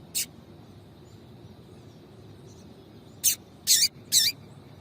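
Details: Female double-collared seedeater giving calls meant to stimulate a male: one lone high chip, a long pause, then three sharp, slightly buzzy chips in quick succession, with quiet background hiss.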